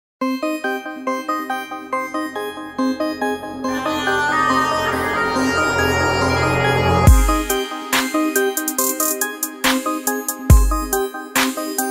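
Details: Electronic music with chiming synthesizer notes and a heavy bass drop, no animal sounds.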